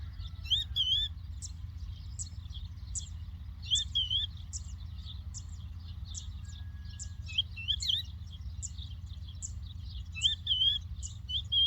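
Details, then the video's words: Lark song recorded in the Doukkala countryside: bursts of high, sharp tweets and looping slurred whistles, repeated every second or two, with a steady low background hum throughout. "The Lark Tweets صوت الطبيعة: تغريد القبرة"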